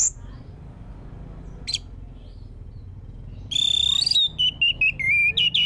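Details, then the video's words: Orange-headed thrush heard as a lure to prompt another bird's song: mostly quiet at first with one brief high note, then a loud rich phrase of repeated warbling whistles that step downward in pitch, in short rhythmic bursts. "Pancingan anis merah biar bunyi"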